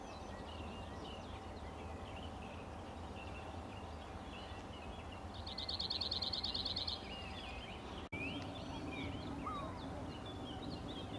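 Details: Cirl bunting delivering a rapid, even, high-pitched rattle lasting about one and a half seconds midway, set against a busy chorus of other birds' twitters and a constant low background hum.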